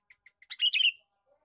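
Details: Three quick soft chips lead into a loud, bubbly, tumbling burst from a male sooty-headed bulbul giving its lure call.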